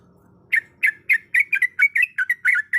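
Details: Female sooty-headed bulbul calling the male: a series of short, bright, slurred notes, each sliding down then up, given roughly three to four times a second after a brief quiet start.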